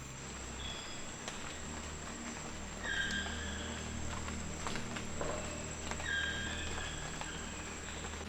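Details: A woodpecker in the Corcovado National Park rainforest, Costa Rica, in the early morning gives two bursts of sharp, ringing notes about three seconds apart, with a few dry taps, over a steady high insect whine and a low rumble.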